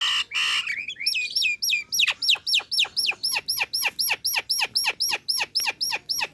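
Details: Female Nias hill myna calling to a male, a recording meant as a lure for trapping: a rapid, steady run of loud, clear whistled notes, each sliding down sharply, about four per second after a harsher opening burst.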